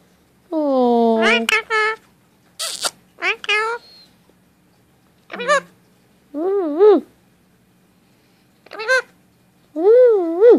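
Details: Pet male Indian ringneck parakeet indoors chatters in its random talking: clear tonal, speech-like phrases with warbling rising and falling notes, a few sharp clicks, scattered over ten seconds with short silences.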